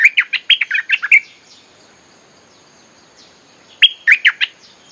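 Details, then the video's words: Lure song of a bulbul for wild birds: a long rollicking run of about ten bubbling, fluty notes, a pause of over two seconds, then a shorter burst of four or five notes. "เสียงนกดอกแตงEp.183.ฟังกันยาวๆ เพลงหัดลูกเสอ ใช้เรียกนกป่า Suara pikat merbah lekir gacor"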